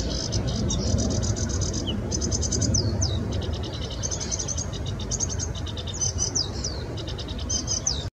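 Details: Sedge warbler singing in the Bitsa recreation area (Bitsevsky forest), a site planned for housing: a near-continuous stream of fast chattering rattles and buzzy trills with quick rising and falling whistled sweeps, over steady low rumbling background noise.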